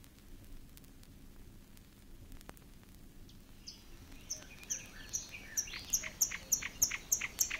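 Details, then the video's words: Marsh Warbler singing in the water-meadows and coastal pastures of Matsalu, USSR, field recording from 1979: quiet background for four seconds, then high, rapid, sharp repeated notes building in loudness toward the end. "Marsh Warler"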